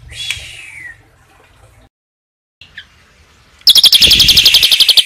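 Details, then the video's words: Asian pied starling 'tembakan isian cililin' master song: one harsh descending note, near silence, then a loud, fast, rattling high trill of about four pulses a second. "JALAK SUREN TEMBAKAN ISIAN CILILIN"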